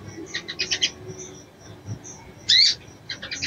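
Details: Female Crescent-chested Babbler calling a male, with brief clusters of high quick chirps and one loud sharp rising note midway.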